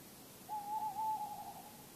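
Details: A tawny owl calls at night in Bergen, North Holland, the Netherlands, on 10 August, approaching from the distance. It gives a single drawn-out, steady hoot just over a second long, slightly wavering in pitch, against a quiet background.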